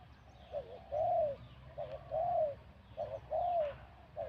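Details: Spotted dove with a middle-to-large voice, described as a wild bird, cooing in a singing competition; soft, low, arched coos come in repeated short phrases, with a quick note before each long one, over steady background hum.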